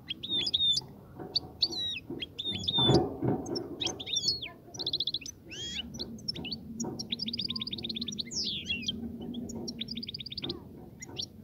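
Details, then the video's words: European goldfinch singing to encourage a female to mate and nest: a long, lively, varied twittering of liquid whistles, buzzy trills and fast repeated notes, rattling runs near the middle, over a steady low hum. "صوت لتحفيز انثى الحسون على التزاوج"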